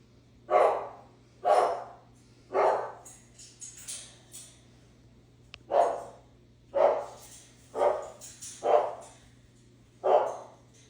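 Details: Pet parrot imitating a dog's bark: gruff, dog-like barks repeated roughly once a second, with a short pause midway and some softer chatter between barks.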